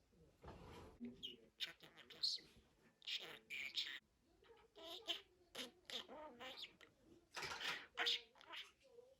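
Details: Budgerigar making a long run of syllable-like scratchy bursts and chirps that resemble mimicked speech, delivered in choppy phrases with brief gaps.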